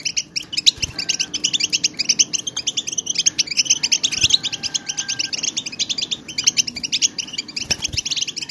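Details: A big gathering of European goldfinches twitters continuously, sound used to spur silent goldfinches to sing hard; busy jangling chirps, trills and short buzzes overlap densely for the whole stretch, with faint low background noise.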